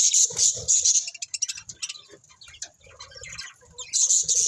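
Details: Budgerigars give loud, high, buzzy warbling at the start and the end, with quicker, softer chirps and clicks filling the middle.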